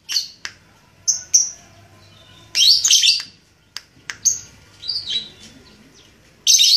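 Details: Red-headed lovebird practising ngekek. Sharp ticks and short whistles lead to a loud, harsh chattering burst. Scattered squeaks follow, and another shrill burst ends it.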